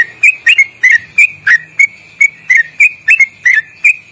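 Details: Sooty-headed bulbul song used as a training recording for caged birds. It is a long, loud, rapid 'ropelan' trill with quick melodic twists: sharp whistled notes, about three per second, some rising or bending, repeated steadily for four seconds.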